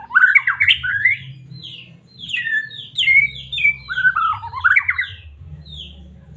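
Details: Medan white-rumped shama song used as a lure for caged shamas: dense, rapid whistled phrases with sweeping slurs and quick repeated notes, nearly continuous, over a faint low hum.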